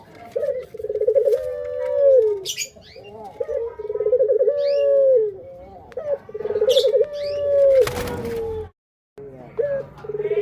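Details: Repeated pelung coos from a male Barbary dove. Each phrase opens with quick pulsed stutters and stretches into a long level note sliding down at the end, with about three phrases plus light chirps and a brief noisy burst.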